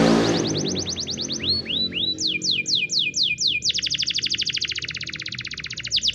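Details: Training song from a white Spanish Timbrado canary: rapid high repeated notes, then slower downward swoops, then a long steady rolling trill, over a low background hum.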